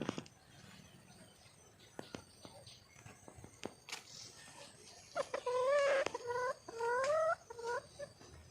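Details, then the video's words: Wild hen red junglefowl calling to attract a male, giving a run of upward-sliding, whining notes in the second half after a stretch of faint clicks and taps. "le bruit d'une poule sauvage,เสียงไก่ป่าร้องหาถู่หาตัวผู้,ສຽງໄກ່ປ່າຮ້ອງຫາຄູ່ຮັກ, poj qaib qus see"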